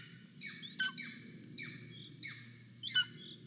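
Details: Golden eagle nestling in Estonia begging to be fed, nest camera recording from 10 July 2022: a few drawn-out high, downslurred cries with sharper accented notes, against a steady low hum.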